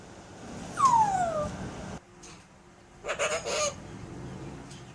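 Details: Captive Alexandrine parakeet doing a sound effect: one loud whistled note sliding steeply downward, a pause of near silence, then a harsh burst of three or four raspy pulses.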